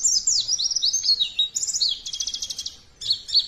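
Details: High, continuous white-eye song played as a lure for other birds: quick warbled slurs and sweeping whistles run into a rapid buzzy rattle of repeated notes, then short bright twitters at the end.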